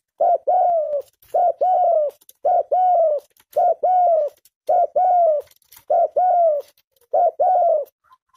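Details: Tame spotted dove in the lively nguku cooing style: seven clear hollow phrases, each a short note followed by a longer gently falling coo, repeated about every second in a quiet room.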